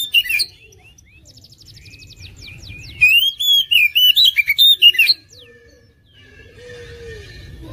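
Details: Champion competition oriental magpie-robin: a sharp opening note, quiet twittering, then a loud two-second burst of rapid ringing whistles in 'tembakan mewek' style, followed by faint soft calls.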